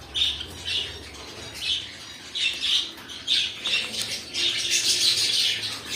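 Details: Pet cockatiels calling in a rapid run of sharp, harsh squawks, three or so per second, growing denser and louder toward the end as calls overlap.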